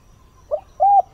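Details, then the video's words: Decoy spotted dove calling at dawn to lure wild birds: a short soft note followed by a longer, low, steady hooting coo, with quiet background. "Chim cu mồi // Tinh sương gáy gọi, kích thúc chim hoang dã"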